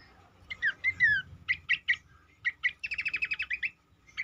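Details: Cingcoang song played as a lure for other birds: slurred falling whistles, then clipped chirps, then a fast rattling trill of sharp notes, over a constant low hum.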